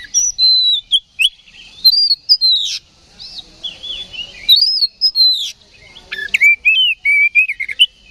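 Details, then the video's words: Oriental magpie-robin provoked to fight, singing ngeplong: long run of arching, whistled high notes and swooping slurs, then lower, rapid, stuttering phrases. "KACER GACOR NGEPLONG TARUNG !! PANCINGAN KACER PALING AMPUH BUAT MENAIKAN EMOSI KACER AUTO RESPON"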